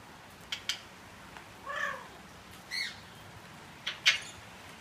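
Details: A pet Eclectus parrot chatting during rain, which makes him more talkative: short sharp squeaks, a rising-then-falling whistled note, a brief harsh squawk and a loud clipped chirp, spaced out over a soft background hiss.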